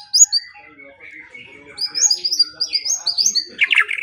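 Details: White-rumped shama singing in a morning and evening training recording: soft low warbles at first, then a string of bright, high repeated whistles that end in a dense, scratchy burst.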